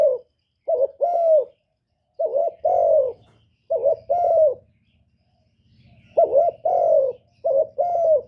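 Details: Spotted dove uttering calling, urging and cooing calls: hollow, slightly descending coo phrases in pairs, separated by pauses of one to two seconds, over a faint low mechanical hum.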